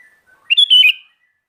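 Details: Single bright phrase from a sooty-headed bulbul (kutilang garuda) in full song: a quick rich whistle sliding down at the end, about half a second, preceded by soft low notes.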